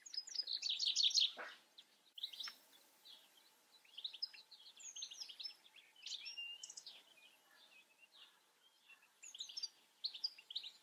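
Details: European goldfinch singing a fast, liquid twitter of high tinkling and buzzy notes, loudest in a dense burst in the first two seconds, then broken into short tumbling phrases with brief pauses between them.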